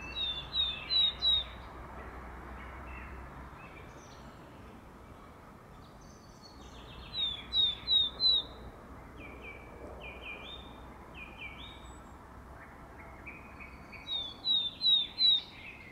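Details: Willow tit singing in spring: short phrases of three or four clear, down-slurred whistles, repeated every six or seven seconds, with a song thrush also audible.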